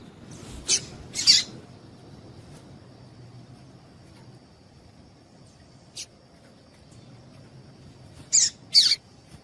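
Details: A female Double-collared seedeater call, used to get males singing: a pair of rough chips, a lone faint note, then two more loud harsh chips near the end. A continuous thin whine runs in the background.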